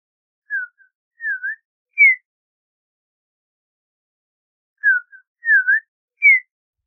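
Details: Audubon's oriole singing slow, pure whistled notes: a short falling whistle, a faint note, a dipping slurred whistle and a higher falling note. After a long pause the same hesitant four-note phrase is repeated.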